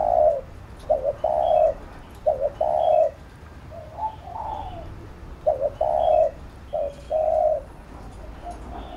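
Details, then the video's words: Spotted dove cooing to train a bird, its phrase repeated several times: pairs of quick hooked notes leading into long mellow coos, with short notes between; faint small-bird chirps behind. "Cu Gáy THÚC GÙ Siết Bổi Đẳng Cấp/ Kích Mồi Tập Bổi Căng Đét"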